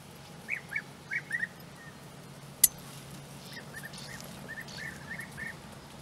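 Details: European bee-eaters where their nest holes lie in flat open country at Puszta Eldorado. Short, rolling, liquid calls come in quick clusters, first three loud notes, then softer repeated calls after a sharp click, over a low hum.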